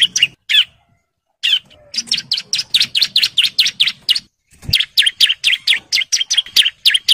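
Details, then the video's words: Bar-winged prinia male in breeding condition singing to call females: a few scratchy notes, a pause, then long rapid trains of sharp, evenly repeated chips, about four per second, with a brief gap between two bursts. "CIBLEK JANTAN BIRAHI GACOR NGEBREN MANGGIL BETINA"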